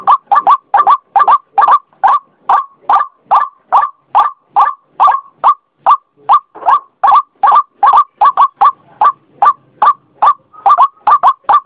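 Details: Long, driving series of croaking calls from a white-breasted waterhen, singles and quick pairs, about two and a half per second without pause.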